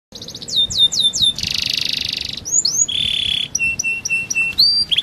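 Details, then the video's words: A yellow canary sings a fast varied song: rapid descending whistled trills, a dense buzzy rattle, then clear repeated whistled notes and sweeping upslurs. "yellow canary bird singing song"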